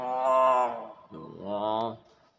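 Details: Pet common hill myna imitating human speech: two rich, nasal, voice-like syllables, the first long and loud, the second lower and shorter, with people talking nearby.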